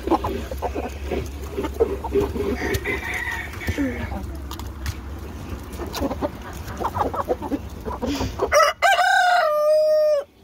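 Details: Chickens running around: rapid clucking and scattered squawks with rumbling background, then a loud rooster crow bursts in near the end, harsh and stepped before a long sustained final note.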